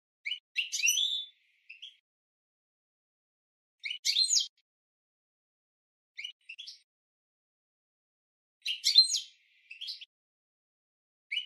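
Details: European goldfinch training song for cage birds: short bursts of twittering, buzzy high notes separated by pauses of one to three seconds.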